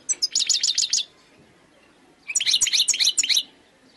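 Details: Wild European goldfinch singing khalwi style: two bursts of rapid, tinkling high twitters and trills, about one second each, separated by a pause, in a quiet setting.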